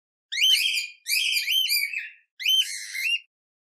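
A cockatiel gives three shrill, warbling whistled calls with rising and falling notes.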